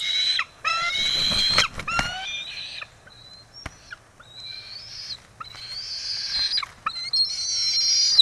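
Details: Excited bald eagle vocalising at its Kisatchie National Forest nest after the first egg was laid, 9 December 2023: a dense, almost continuous run of harsh, high squeals and thin whistled slurs with rasping edges, barely pausing.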